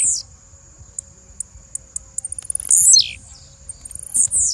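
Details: Female blue-black grassquit: evenly spaced high ticks quicken into a trill before one loud, rasping call plunging in pitch, followed by softer buzzy notes, over a continuous high whine.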